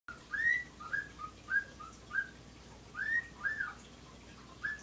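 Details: Pet female bird sitting and whistling: short, clear, slurred whistled notes, some rising and some falling, delivered in quick irregular bursts of about two to four notes, with soft background hiss between them.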